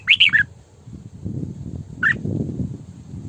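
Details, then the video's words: Female red-whiskered bulbul lure bird singing; a short burst of three rapid, slurred whistles, then a single falling note after a pause, over noticeable low-pitched background noise. "Tiếng Chim Chào Mào Mồi Hót Sổ Bọng Căng"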